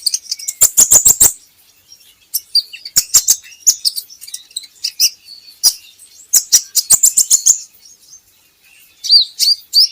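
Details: Van Hasselt's sunbird song used as a training recording to get kept birds singing: bursts of high, thin chirps and twitters with sharp clicking ticks, in groups separated by short pauses.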